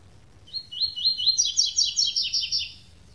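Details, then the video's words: A Double-collared Seedeater sings the classic tui-tui song without the third note: four quick, high slurred whistles, then a run of sharper, buzzier doubled notes lasting about two seconds. "Canto Coleiro Tui Tui Canto Clássico Sem 3ª Nota"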